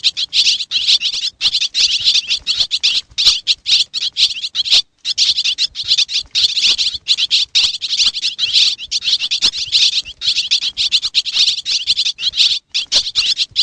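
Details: Over a long stretch, a swiftlet from Xiangkhouang, Laos, keeps up high, buzzy twittering. The chirps come in rapid runs with irregular breaks, and no other sounds are present.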